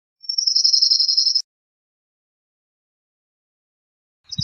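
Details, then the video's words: A cirl bunting gives a single rapid, even trill of high metallic notes, about a second long, followed by silence and the start of another trill with a soft low thump. "Cirl Bunting Singing, Cirl Bunting Calling, Chirping, Sound -Escribano Soteño Canto- Emberiza Cirlus"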